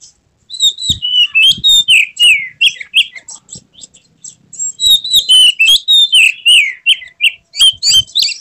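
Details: Oriental magpie-robin (kacer) singing in an emotional, tail-spread style with a full repertoire: loud whistled and buzzy phrases, many sliding notes, delivered in two dense bursts separated by a brief pause.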